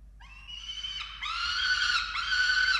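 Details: During chick feeding at a falcon nest in Orange, Australia, on 13 November 2022: a few faint, rising squeals, then louder, continuous harsh wailing that swells toward the end.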